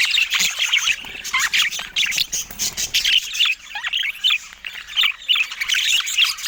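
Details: Budgerigars kept as colourful pet birds chatter in quick bursts of bright chirps and short squawks, voices overlapping, with brief quieter gaps between the louder bursts and no music or speech.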